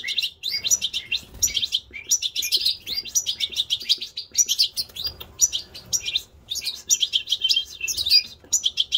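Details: Goldfinch mule in sustained song: long, rapid runs of tinkling, twittering notes and buzzy trills. Brief pauses separate the bursts. No other clear sounds.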